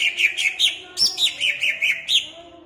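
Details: Pemalang caged greater green leafbird in full song meant to stir up rival leafbirds: continuous tumbling sequence of sweet, slurred whistles dropping in pitch, delivered in quick pulses with no pause.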